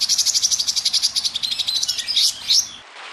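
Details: Small songbird from a master training recording for competition birds, with a harsh, grating chatter of rapid buzzy notes lasting about two seconds, ending in two louder rasping bursts.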